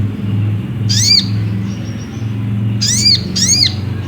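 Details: Ruby-cheeked sunbird, used as a lure to set another bird singing: three sharp arched high notes, each with a lower echoing overtone, spaced one to two seconds apart, over low hum.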